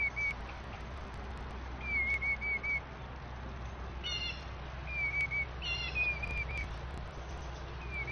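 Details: A young Eastern Bluebird, after dive-bombing a Starling, gives a warning call of short, soft whistled notes, some in quick pairs or triplets, every second or two; a hawk was possibly nearby. Another bird adds harsh, buzzy calls against a steady low rumble.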